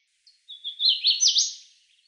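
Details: A Hooded Warbler song begins with a thin introductory note, then a rich whistled phrase of looping slurs that builds to an accented downward flourish before fading.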